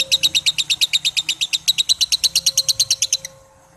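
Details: Lovebird giving a long ngekek chatter: a fast, even run of about twenty-five harsh, high, rattling pulses, roughly eight per second, lasting over three seconds before stopping abruptly.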